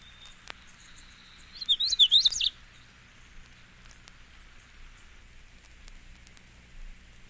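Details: Magnolia Warbler singing, one of seven examples: a single brief warbled phrase of a few high, slurred up-and-down notes lasting under a second. Long quiet stretches follow with faint clicks and low background hiss.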